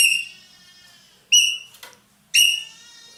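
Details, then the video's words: Indonesian ekek keling, a loud-voiced roller, giving three piercing, strained cries roughly a second apart, each starting sharply and tailing off, with a brief scratchy noise between the second and third. "burung ekek Keling gacor nembak"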